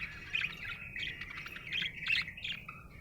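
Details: A happy budgerigar chirps in quick, bright, scratchy notes, several sharp chips a second over a continuous warbling undertone, ending on a lower buzzy note.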